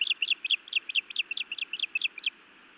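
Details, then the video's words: Female osprey scolding her mate at a nest in Montana; a fast run of piercing two-part chirps, about five a second, ending abruptly, followed by background hiss. "Feisty Iris scolds then bites Louis a time or two"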